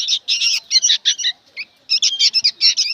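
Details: Short harsh chattering bursts from noisy young sooty-headed bulbuls, a quick cluster of squawks, a brief pause, then another scratchy cluster.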